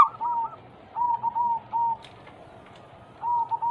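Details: Zebra dove (perkutut) song used to coax other doves to sing; a few soft, slightly lower drawn-out coos in short clusters with quiet gaps between.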